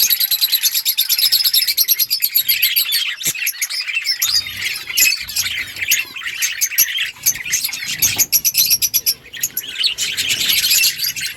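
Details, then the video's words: Budgerigars chatter to each other in a breeding colony: a steady stream of rapid high chirps and warbling notes from several birds at once, with hardly any break, plus a faint thin tone at the start. "Budgies parrot chirping sounds parakeet talking to each other"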